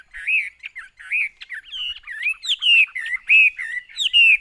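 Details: Chinese hwamei singing in a cage, a steady sequence of looped, melodious whistled phrases, each slurring up and down, with faint low knocks in the background.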